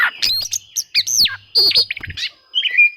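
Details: Oriental magpie-robin seeking rivals, a song meant to provoke reluctant birds into singing; rapid mix of sharp chips, slurred whistles and rasping notes crowded into quick bursts, with a faint low hum beneath.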